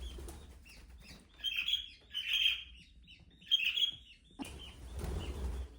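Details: Budgie warbling in louder, scratchy bursts of high chirps, each lasting about half a second, separated by short pauses, ending with rustling noise.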